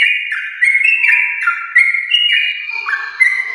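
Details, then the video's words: Champion-line yellow-vented bulbul in continuous song, meant to prompt pet bulbuls: clear whistled notes stepping between two or three pitches with downward slurs, closing in a few brief buzzy overtones. "Trucukan gacor ropel panjang TRAH JUARA untuk pancingan trucuk rumahan"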